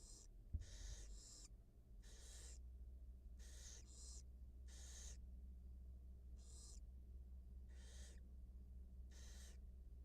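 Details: Newly hatched barn owl nestlings and their mother at a wild nest during feeding, caught on a live camera: breathy, screechy hiss bursts at uneven intervals of about one second, a single knock early on, and low background hum.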